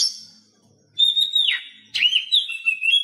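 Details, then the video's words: Oriental magpie-robin song for prompting reluctant caged birds to sing: a short high note, a pause, then a long drawn whistle that drops sharply, followed by a warbling phrase. "Masteran Kacer Bisu"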